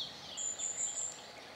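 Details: Firecrest, busy preening, gives a very high, thin run of about four quick notes, run together into one needle-sharp line under a second long, over soft background hiss.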